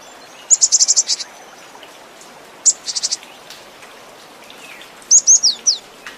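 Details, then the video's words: A cinereous tit gives bursts of rapid, very high, thin notes, six or seven in quick succession, then shorter runs and a few down-slurred whistles over a faint background hiss; the recording is used to lure the bird. "Suara gelatik batu full isian"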